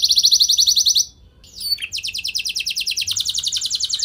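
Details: Canary lure song for setting off other canaries: a high buzzing trill, a short pause with sharp chips, then long rapid pulsed trills.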